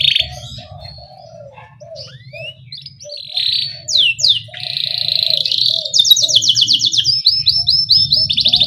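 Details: Canary song meant to draw young canaries into singing: scattered whistled slides and quick sweeps, then a sustained buzz leading into rapid, loud rolling trills of repeated 'cuit' syllables. Faint low notes and hum beneath.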